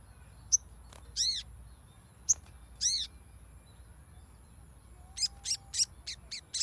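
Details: Crimson sunbird sounds used as a lure for a non-singing bird: brief sharp high chips mixed with arched downslurred notes, followed by a quick series of five or six high ticking notes, over a faint steady high hum.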